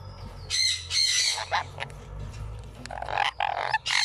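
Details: ['One-week-old Sun Conure chick being fed by a parent: harsh, raspy squawking bursts in rapid runs, with pauses and a low background hum.']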